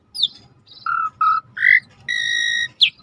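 A starling sings a varied string of clear whistles: two falling slurs, flat mid-pitched notes, a rising whistle and one long steady tone, over a soft rushing of river water.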